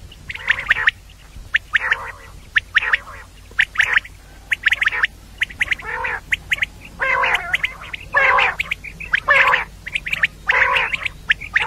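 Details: Calling of a female common quail for morning use, given as harsh, gargling squawks in short bursts of roughly one per second, some longer and fuller, over a faint low hum.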